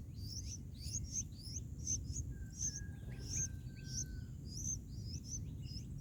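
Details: Bulbul baby birds begging in the nest as a parent feeds them, nest day 4, a mantis nearby poking a chick; quick high squeaky chirps in irregular runs, one drawn-out thin whistle, constant low rumbling noise underneath.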